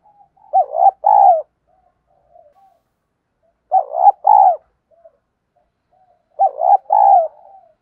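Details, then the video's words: Lure call of a spotted dove in 'thổ đồng' style, played to encourage newly caught birds to coo: three even phrases about every three seconds, each a short hooked note then a longer steady coo. "tiếng Cu gáy mồi giọng ĐỒNG hạp bổi kích mồi luyện bổi mới gáy theo hiệu quả"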